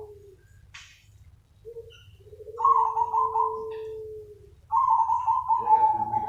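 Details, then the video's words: Zebra dove call for luring other doves, a steady cooing style: a low sustained coo, then louder drawn-out cooing notes overlapping a lower held tone, over a constant low hum. "SUARA PANGGILAN BURUNG PERKUTUT SUPER NUTUT AMPUH UNTUK PANCINGAN || ZEBRA DOVE"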